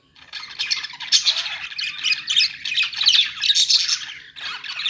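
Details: Budgerigars in a pet store starting up after a moment's quiet, then a thick stream of buzzy, warbled chirps and squeaks.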